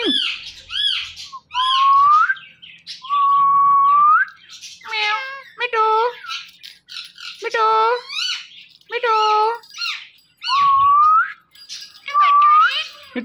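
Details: Talking Indian ringneck parakeet in a small room saying "Mitthu": rising whistles that swoop upward at the end alternate with short groups of repeated nasal, speech-like syllables.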